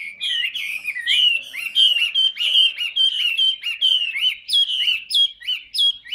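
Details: Caged 'tam hoàng' hwamei, a big prolific singer, gives a continuous stream of sweet, rapid whistles. Repeated slurred notes, some hooked upward, follow one another about twice a second without pause.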